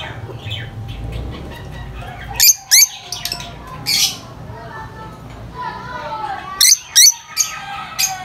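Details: Lovebirds, very vocal, giving sharp high-pitched chirps and squawks in short bursts, mostly clustered around the middle and end, over a low steady hum.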